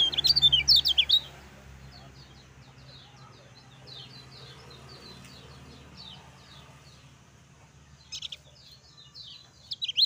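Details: Lemon-bellied white-eye master song for stimulating other birds. A loud cluster of piercing chirps opens, softer scattered chips follow through a quiet stretch, and another bright burst returns near the end.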